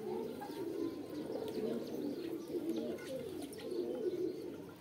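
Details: Steady chorus of pigeon coos, deep, burbling and wavering, several birds overlapping without pause. Thin, scattered chirps from small birds sound above them.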